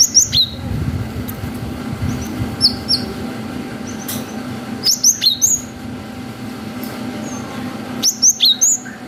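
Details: Cinereous tit, gacor bird with a long 'wucit' song variation, used as a lure to stir young birds into answering. Bursts of three to four high, sharp whistled notes sliding downward recur every few seconds over a steady low hum.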